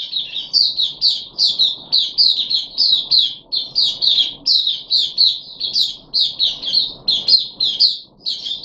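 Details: Caged puff-backed bulbul, third deworming day, 14 July 2021: a long, lively series of quick high chirps and short slurred notes, densely repeated with tiny gaps, in a quiet indoor setting.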